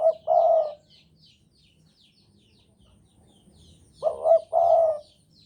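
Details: Spotted dove of the Javan type, in breeding condition, giving two deep cooing phrases about four seconds apart, each a clipped double note running into a longer warbling coo, with faint twittering of small birds behind.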